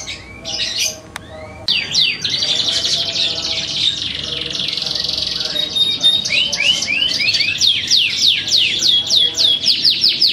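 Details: Darah Biru canary singing a continuous rolling song, opening with a few sharp notes, then a long dense buzzy trill and fast repeated down-slurred syllables; low background murmur throughout.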